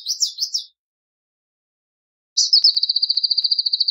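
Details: Palestine sunbird, Cinnyris osea, giving the tail of a sweeping high phrase, then after a gap a rapid, even, high-pitched trill of repeated notes running to the end.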